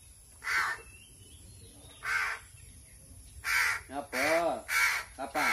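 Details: Crow begging while being fed. Harsh, grating caws start spaced about 1.5 seconds apart, then come faster in a noisy, insistent run of five or six calls at the end.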